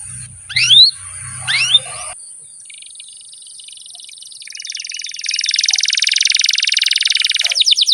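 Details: Canary in full song, from a long training recording for young birds that sing little: two sharp rising whistles, then a pause, then a fast, even, buzzy trill that swells in loudness and ends in a few quick notes.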